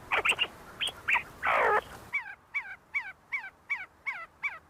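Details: See-see partridges in a group, feeding and fighting inside the University of Sulaimani, Kurdistan: scattered short chirps and one harsh, broad rasp, then a steady run of clear, downward-slurred notes repeated about twice a second.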